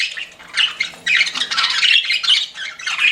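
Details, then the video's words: Pet budgies chatter in a continuous stream of rough, squeaky warbling notes with a few clear whistled peeps mixed in. "CUTE PET BUDGIES CHIRPING"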